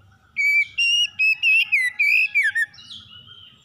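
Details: Magpie-robin singing in the morning, meant to restore a stressed bird: a quick sequence of about eight bright whistled notes, rising and falling, ending in a downward slur, then quiet.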